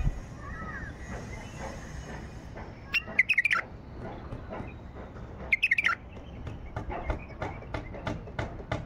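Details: White-eared bulbul singing in the wild: two short bursts of quick warbled, whistled notes around the middle, each under a second, over a steady background with faint clicks and other distant bird notes.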